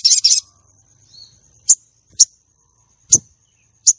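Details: Female common iora used to lure and excite male contest birds: an opening harsh, buzzy double burst, then single sharp high chips roughly every half to one second over a faint steady tone.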